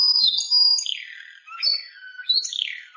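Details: Timbrado canary song: high, clear whistled notes that slide downward, some phrases sweeping from high to mid pitch, separated by short gaps, with a faint lower tone.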